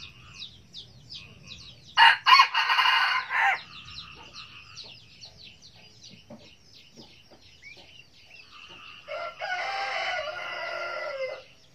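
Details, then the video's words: Red junglefowl giving the cà lắm crow: two harsh, rasping crows, the first stuttered then drawn out, the second longer and level, about seven seconds apart, over continuous high insect-like chirring and small bird notes. "tiếng gà rừng gáy cà lắm"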